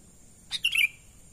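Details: Sooty-headed bulbul natural call, used as a lure for wild birds: one brief chirpy phrase of a short note and then a bright, slightly falling warble, over a steady high-pitched hum.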